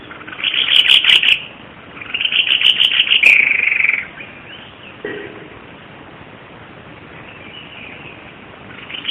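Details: White-bibbed babbler, a bird endemic to Java, used as a tutor recording for training songbirds; two bright, high chattering bursts of rapid notes over the first four seconds, then faint background hiss with a brief low sound.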